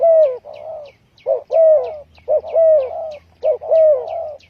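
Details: Loud, close spotted dove coos used as a trapping lure: long, slightly falling croons alternate with short, clipped coos in quick succession, while thin high chirps of another bird repeat in the background.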